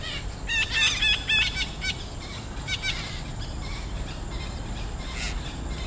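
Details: Red-breasted parakeet in a densely forested woodland patch at Pasir Ris Greenbelt, Singapore, giving harsh, grating squawks in a rapid burst, then a few scattered calls, over a steady background hum.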